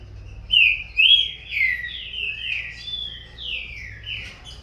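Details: Captive young green-winged saltator, corvo x fogueira, starting a singing duel with its father: a flowing series of loud whistled notes, each gliding downward, fading softer toward the end.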